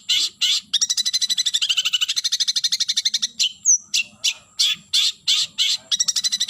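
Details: Long-tailed shrike (cendet) calling a rival, pouring out a fast buzzy rattle of rapid pulses, broken by one high thin whistle, then resuming in harsh bursts and another chattering run.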